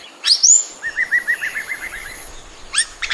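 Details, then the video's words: An Oriental magpie-robin opens with a sharp upslurred whistle, then a quick string of about ten short chirps, ending in another bright sweeping note. "Natural Chirping Sound of a Beautiful Oriental Magpie-Robin"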